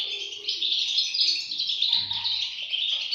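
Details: Chicks of the European goldfinch calling for food, an unbroken stream of shrill, thin chittering notes crowded together at high pitch, steady in loudness throughout, with a faint low hum in the background.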